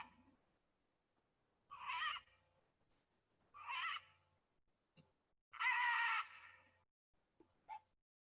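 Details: Green-winged (red-and-green) macaw, a species found in Bolivia and Brazil, gives three loud, harsh, grating squawks about two seconds apart, the last one longest, then a short clipped note.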